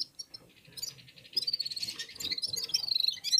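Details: Warming-up song of red-fronted serins singing in unison: scattered soft notes build into a quick, high, sparkling twitter that rises and falls, with faint low rustling below.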